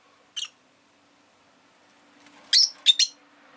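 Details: Pet rosy-faced lovebird: one short rasping chirp, a pause, then three loud harsh chirps in quick succession over a faint low hum.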